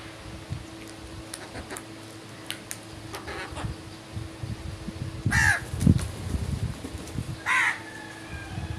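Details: Morning crow calls: two loud hoarse caws in the later half and fainter ones earlier, against a busy rumbling background with knocks and a steady hum.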